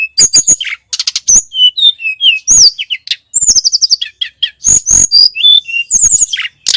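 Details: Tledekan gunung (Sunda robin) tutor recording: fast, unbroken outpouring of high, thin whistled notes, rattling chips and sliding slurs in crowded phrases separated by brief pauses, with a clean background and no other voices.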